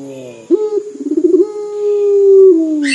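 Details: Vocal local puter dove giving its dor coo, described as crying: a low hum, then a sharp coo note, a run of quick pulsing notes, and a long steady drawn coo. A steady thin whine sits behind it, and a brief rustle comes at the end.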